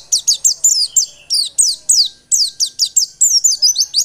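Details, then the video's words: White-eye lure song for stimulating singing: a continuous, lively stream of high-pitched, downward-slurred chirps, about five per second, some overlapping into twittering runs. "Pancingan pleci biar gacor dan ngotot."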